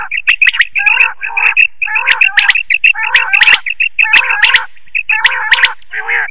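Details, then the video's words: Quail call used at night for net hunting: quick bursts of nasal, harmonic chirps, roughly two per second, mixed with sharp clicking notes. "Quail call for night net hunting | Batair ki awaz Rat k leay | بٹیر کی بولی رات کیلیے"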